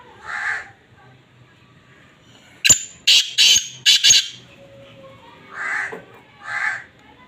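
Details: Kala teetar breeding call: a grating note, a run of very loud, sharp cracking blasts, then two more rough notes spaced about a second apart.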